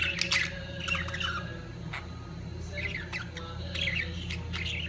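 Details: Budgerigars at the peak of mating, giving bursts of squeaky warbling chatter separated by short pauses, over a steady low background hum.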